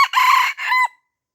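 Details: Red junglefowl from Aceh, surrounded by young birds and refusing to fight, gives a short hoarse crow: a strident first phrase then a brief lower ending, under one second, with nothing else heard.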